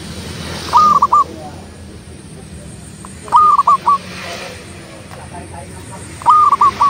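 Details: Local zebra dove singing persistently, repeating a crisp cooing phrase of three to four quick notes roughly every two and a half seconds against a low steady background hum.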